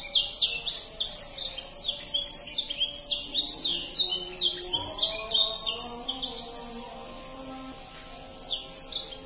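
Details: Canary song meant to get young canaries singing quickly, bright fast chirping phrases and trills for about seven seconds, then fading to quieter scattered notes near the end, with a soft low humming tone beneath.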